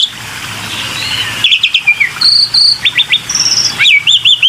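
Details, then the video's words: Black-winged myna heard in a lure recording meant to prompt other birds to call. It gives varied clear whistles, short rising and falling notes, and a run of quick looping phrases near the end. A faint low hum runs underneath. "PANCINGAN SUARA BURUNG JALAK PUTIH"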